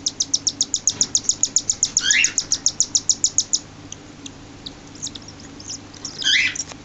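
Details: A six-day-old cockatiel chick gives rapid, rhythmic, high-pitched begging chirps while being fed by its parents.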